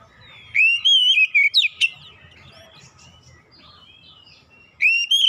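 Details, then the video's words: Oriental magpie-robin (kacer) in a therapy recording for non-singing birds: one rich whistled phrase, warbling and then dropping into sharp clipped notes, followed by softer twitters. Another phrase begins near the end, over a faint low background hum. "TERAPI MEMPERCEPAT KACER BISU MACET BUNYI LANGSUNG GACOR"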